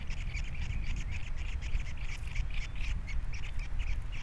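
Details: Osprey calling at its Captiva nest with three young, 21 February 2022; dense, hurried string of bright piping notes, almost continuous, with strong wind rumble underneath.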